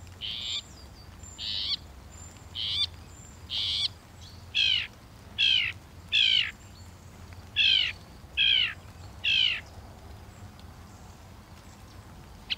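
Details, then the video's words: {'text': 'Northern mockingbird singing one phrase over and over: a high, slurred, wavering note repeated about nine times at roughly one-second intervals against a quiet background.'} "The song of the Northern Mockingbird"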